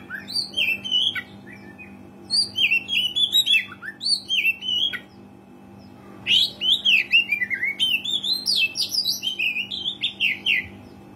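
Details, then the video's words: Long gacor song from an oriental magpie-robin, played to trigger singing in rarely vocal birds: phrases of bright whistles and slurred warbles, a short silence, then an energetic rapid sequence of rising notes, with steady hum. "KACER GACOR SUARA ASLI PANCINGAN KACER JARANG BUNYI"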